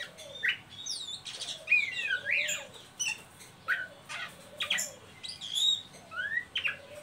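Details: Oriental magpie-robin giving ngeriwik calls, used to lure and stimulate young birds to sing: varied whistled notes and harsh chattering bursts, rising and falling slurs repeated in short phrases with brief pauses, against a faint background hum.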